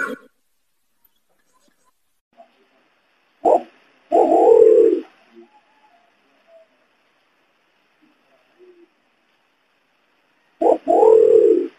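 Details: Imperial pigeon, locally called pergam, kungkung or cakurra, in a lure recording used to attract the bird. Deep, low booming coos, each a short note followed by a longer resonant coo, repeated after about six seconds in quiet surroundings.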